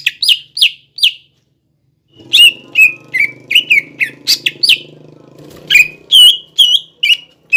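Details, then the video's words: Cucak ijo singing as a lure for young birds: several sharp descending whistles, a pause, then a lively series of varied whistled notes over a low droning background hum. "PANCINGAN CUCAK IJO BIAR EMOSI BUAT CUCAK IJO TROTOLAN MUDA DAN OMBYOKAN AGAR BUNYI"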